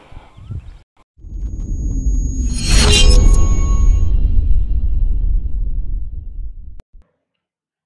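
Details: Rushing whoosh and rumbling boom with a bright shattering crash near its peak, ending in abrupt silence.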